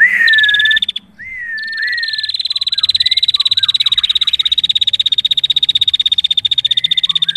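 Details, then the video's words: Female prinia singing vigorously: a few clear whistled notes sliding near the same pitch, then a long, fast, metallic high trill held steadily for about five seconds. Scattered soft chirps sound underneath. "Masteran Burung Prenjak Betina Gacor"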